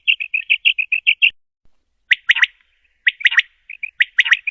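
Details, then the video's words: Common quail call: a run of soft, high twittering chirps, then three sharp triplets of crisp, whip-like notes spaced about a second apart. "best Quall sound"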